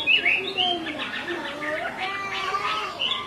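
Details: Female Chinese hwamei calling repeatedly to excite a male, who is agitated; a run of fluid, warbling whistled notes sliding up and down, with a bright high note at the start.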